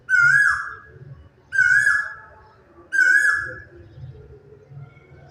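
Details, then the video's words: Morning stillness carries a quail's repeated song: three clear, ringing whistled notes, each sliding down at its end and spaced about one and a half seconds apart, followed by a soft low murmur. "quail ka ye song"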